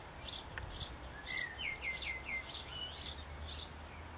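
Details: Fledgling European pied flycatcher begging for a parent in a backyard, 7 June 2013: a steady series of thin high chirps about twice a second, overlapped by a run of descending whistles from another bird.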